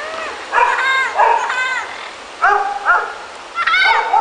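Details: A wild pair of Panama amazons (Amazona ochrocephala panamensis), apparently in Panama, answering a person calling to them, give a run of loud, nasal, squawking calls bending up and down, about seven short bursts in four seconds.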